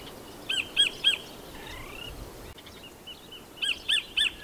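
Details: New Zealand kingfisher, or kotare, giving sharp, high, evenly spaced notes in a set of three, then a faint lower trill, then another set of three, against soft outdoor background noise.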